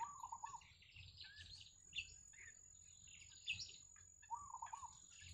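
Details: Wild yellow bittern family at the nest with chicks: a quavering, pulsed chatter opens and closes the sequence, between them a jumble of high squeaky chirps and slurred notes, with a thin constant whine behind.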